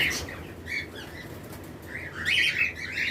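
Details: In a breeding-season flight colony, lovebird pairs of mixed mutations chirp in thin, high notes, with a busier run of overlapping shrill calls near the end, wing flapping and surrounding birds audible.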